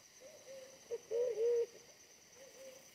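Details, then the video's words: Aggressive wild pigeon at a decoy trapping site, smaller than the decoy: one short note then a strong, bubbling double coo, framed by faint level hums, against a constant high-pitched insect drone. "mikat merpati hutan BL bodi lebih kecil dari pikat tapi ganas banget"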